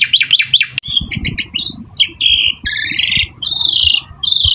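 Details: Song of an Asian pied starling used to lure other birds into calling back: rapid zigzag chatter opens, followed by stuttering notes and long harsh buzzy strokes with a light background rustle.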